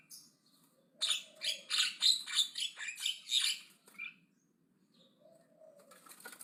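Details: Aggressive Javan myna singing loudly: a rapid run of about eight harsh, noisy chattering bursts lasting three seconds, a brief break, then softer scratchy notes resuming near the end.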